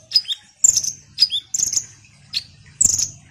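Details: Ruby-cheeked sunbird in lively song used as a lure: sharp, very high notes that dip quickly in pitch, mixed with short, shrill buzzy trills in fast succession.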